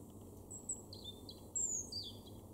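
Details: European robin in an autumn garden at Weener, East Frisia, Germany, October 2022, giving soft thin high whistles and short sliding notes, some descending, with quiet background.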